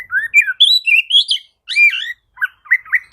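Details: Oriental magpie-robin (kacer) song used as a lure to rouse reluctant kacer into singing: varied clear whistles, slurred rising and falling phrases broken by brief pauses, ending in short sharp notes.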